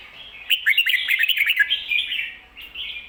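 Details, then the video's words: Red-whiskered bulbul singing ko-ta-ra with emphatic doubled 'bern' notes for teaching birds: a dense, rapid cascade of bright chirps and slurred whistles, tapering into a quieter warble. "โค-ตะ-ระ เบิ้ล เบิ้ลจริงเบิ้ลชัด(ไว้สอนนก)"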